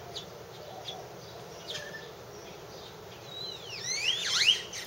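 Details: Purple martins at a martin house give a burst of liquid, gurgling and swooping chirps near the end, after a few faint chips, over a low steady background hum.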